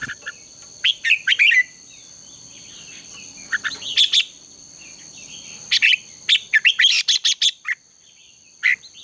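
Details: Red-whiskered bulbul used for morning singing contest training, bursts of bright warbled chirps and short whistled phrases in clusters, with a steady high electrical-sounding hum throughout.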